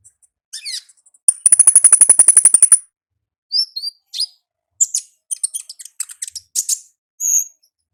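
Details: Ngalas song of a wild olive-backed sunbird: a sustained fast high trill of rapidly repeated notes lasting about one and a half seconds, followed by scattered thin chips and short squeaky phrases with gaps.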